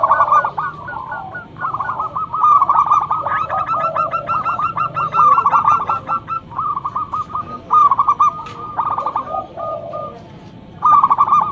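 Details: Local zebra dove singing loudly as a lure bird: dense runs of rapid staccato cooing notes at a mid pitch, pouring out in long overlapping bursts with short breaks, over a low background hum.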